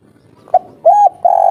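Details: Spotted dove giving an agitated 'kuk 3' call, a natural local voice meant to provoke other doves into answering. A clipped short coo, then a smooth arched coo and a long sustained final coo that lifts slightly at the end.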